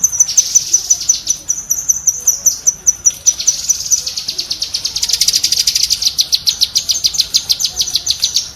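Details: Tutor recording of cucak kinoi bulbul 'tembakan' chatter: high staccato ticks that accelerate into a rapid rattling trill, then continue as strong repeated pulses to the close.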